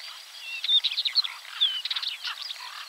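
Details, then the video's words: Northern wheatear singing: a scratchy, jumbled warble of quick chattering notes mixed with brief clear whistles, delivered in a continuous rush. "Northern wheatear call and song / Białorzytka"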